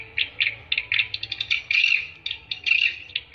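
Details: Swiftlet lure call for attracting swiftlets, made of short high chirps and clicks in loose clusters. Two longer buzzy, trilling bursts stand out, and there are quiet gaps between groups.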